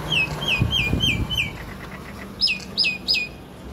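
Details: A myna, seen close up stopping with other birds, possibly at drinking water, gives quick, downslurred whistles, five in about a second and a half, then three higher, sharper notes, with a few low thumps beneath.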